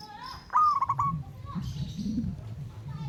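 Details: Wild local zebra dove calling to a rival: one rolling, pulsed coo near one pitch, a bright opening note followed by quick stuttering beats lasting about half a second. Faint higher chirps from other birds and a low background rumble.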